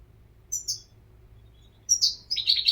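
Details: European goldfinch giving two short, high chirps, then after a gap a quick cluster of bright, slightly buzzy tweets.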